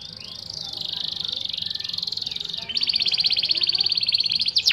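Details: Canary (Serinus canaria) song used as training material for contest birds; a high buzzy trill gives way to a rapid, bright rattling series of repeated notes, with a faint low hum beneath.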